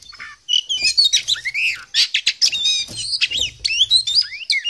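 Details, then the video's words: An Oriental magpie-robin (poci type) in full, active song packed with varied phrases: bright whistled notes, buzzy chatter and swooping slurs that rise and fall, delivered in a dense, continuous stream. "KACER POCI GACOR, NGOBRA FULL ISIAN"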